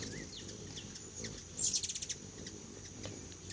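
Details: Hummingbirds visiting a feeder stocked with homemade food give a rapid burst of about eight very high, thin chittering notes midway, amid scattered soft ticks and a steady high-pitched background hiss.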